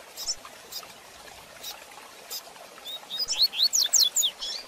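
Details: Rusty-collared seedeater, fast Tui Tui Zel Zel de Fibra song used as a training recording for young birds: after scattered clicks, a rapid run of high, sliding whistled notes builds toward the end.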